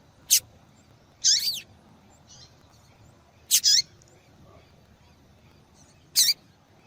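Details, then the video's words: A female yellow-bellied seedeater calls a lot, a call that stimulates singing in males: four high chirps in under seven seconds, two of them doubled with downward-sweeping notes, and a soft faint note between, over quiet hiss. "Fêmea de Papa capim Chamando Muito !"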